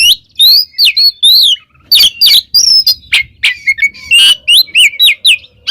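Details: Oriental magpie-robin singing vigorously, used as training song for pet birds: repeated rising and falling whistled notes mixed with scratchy bursts, delivered in quick bouts.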